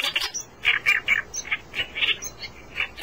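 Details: Reed warbler singing, a chattering run of harsh, scratchy notes repeated rapidly in loose pairs and triplets, energetic and uneven in rhythm, with a low background rumble.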